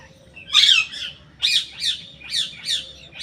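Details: A parrot makes a run of harsh, raspy squawks, about six in three seconds, each a short noisy burst, the first the longest and loudest.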